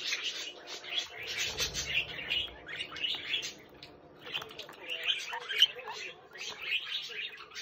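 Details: Budgerigar chick giving bursts of high, grating warble and chirps in clusters about every second, with a short low rumble early on and quiet gaps between.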